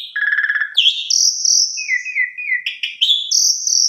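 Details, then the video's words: Energetic Asian pied starling song serving as a lure for quieter starlings: a pulsed buzzy phrase, then long clear high whistles, a wavering lower warble and abrupt sharp notes, continuous and varied throughout. "Pancingan Jalak Suren Gacor"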